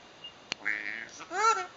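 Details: A male pet eclectus parrot vocalising indoors: a breathy hissing sound, then a loud, nasal, harmonic squawk-like word that swells and fades. A single click is also heard.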